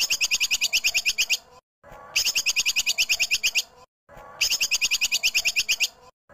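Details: Training mix of a female cucak kinoi with tupai kekes squirrel: three similar phrases of rapid, high, sharply pulsed chirps, each about 1.5 seconds, separated by brief silences.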